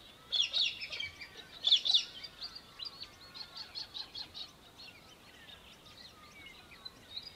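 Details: Australian hobby, Victoria, Australia, December 2023: two harsh, rapid chattering bursts in the first two seconds, followed by softer repeated notes while other birds whistle and twitter in the background.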